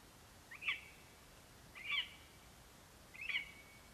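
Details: Three clear yelping notes, evenly spaced about 1.3 seconds apart, given by a male lesser spotted eagle at his nest while calling for his absent mate after bringing a vole, 11 September 2021, nest camera recording.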